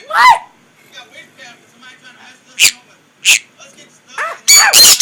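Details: Pet sun conures sharing a room with a green-cheeked conure, making noise: a few sharp, piercing screeches spaced between quieter chatter, with a person speaking nearby.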